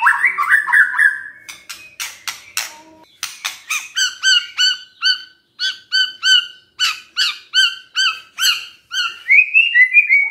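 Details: White-rumped shama singing in the morning to prompt a quiet shama to answer: opening whistled slurs, then a long series of crisp, repeated chip-like notes about twice a second, closing with a rising whistle.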